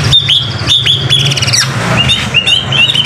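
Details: White-rumped shama (murai batu) singing vigorously on a training recording for songbirds: clear whistled notes near one pitch, repeated in short bursts, then a few lower sweeping phrases, over a steady low engine-like hum.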